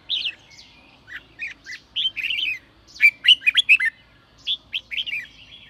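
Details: Red-whiskered bulbul in sổ bọng song, meant to push freshly caught birds to sing: quick whistled syllables strung together, swelling into a dense cluster of sharp, loud notes midway before softer trailing phrases.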